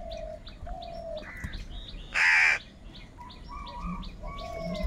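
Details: Crow among a group fighting for food gives one loud, harsh caw midway, surrounded by constant high chirps of other small birds and short level whistles.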